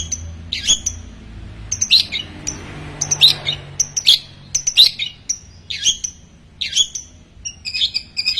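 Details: Long-tailed shrike in full mimicking song, copying about ten small bird species: sharp, high chirped notes in short bursts separated by brief pauses, with faint low hum beneath.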